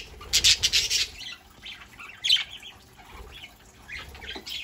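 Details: Saturday-morning chatter from a small flock of pet budgerigars: a loud burst of rapid scratchy squawks opening, then scattered softer chirps and warbles, one sharp call near the middle, faint high whine throughout.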